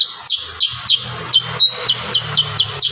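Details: Kurincang firing a close string of sharp, high downslurred notes, roughly three per second, in the dense 'tembakan rapat' style, over a quiet low hum.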